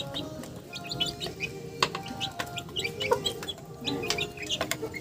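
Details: Chickens calling: busy, overlapping short high chirps repeated irregularly, mixed with sharp clicks and a continuous low rumble.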